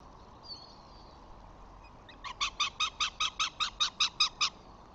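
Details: Flamingos with five chicks on 14 June, the father arriving among them. After a faint thin whistle, a run of about twelve evenly spaced, nasal, goose-like honks follows, roughly two and a half per second, then stops abruptly.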